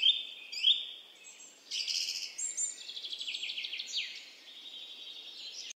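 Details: Himalayan goldfinch singing high twittering phrases: a pair of sharp chirps, then a rapid buzzy trill of repeated notes, ending in a sustained thin whistle, with light background hiss.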